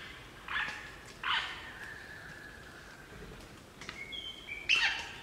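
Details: Group of crimson rosellas singing and chattering in Barrington Tops National Park, New South Wales, Australia; short harsh bursts alternate with long level whistled notes, ending in a loud squeaky burst.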